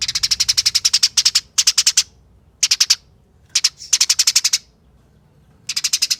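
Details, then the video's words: A Eurasian tree sparrow's speedy fighting chatter, meant as a lure for other sparrows: long dense runs of scratchy, high chips broken by silent pauses of up to a second. "Pancingan Gereja Tarung Nyerecet Speed Rapat Bikin Gereja Lain Ikut Bunyi Gacor"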